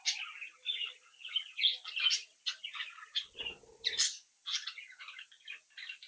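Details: Young captive budgerigars of a home brood chattering; continuous squeaky warbling and chirps with a brief low rustle or thump partway through, indoors.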